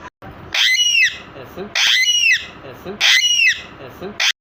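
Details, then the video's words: Several captive parrots shouting, recorded 14 August 2022: three loud, harsh, rasping squawks, each about half a second long, repeated roughly every 1.2 seconds. "my parrots shouting for freedom"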